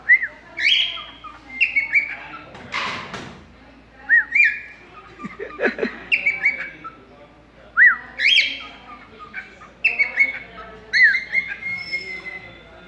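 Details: Pet cockatiel conversing with its owner indoors: repeated whistled calls, short up-down slurs and longer level whistles in several bursts, with a few brief noisy human sounds between phrases.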